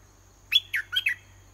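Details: Red-whiskered bulbul kept in a cage as a decoy, calling in late morning to draw a wild bird down to fight; one brisk phrase of four clear, dropping whistled notes over a steady high whine.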